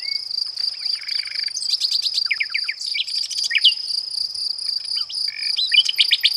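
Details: Nightingale song of clipped repeated notes, slurred whistles and a brisk trill, backed by a persistent high-pitched insect buzz.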